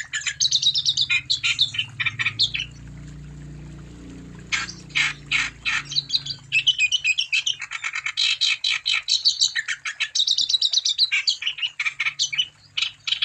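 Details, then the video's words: Extended wambi song used to lure other wambi into singing: loud, high, rapid chattering phrases mixing harsh rasps, clipped chirps and whistled trills, nearly continuous, with a faint low hum beneath the first half. "Burung Wambi Gacor Untuk Umpan Supaya Wambi Anda Tambah Gacor"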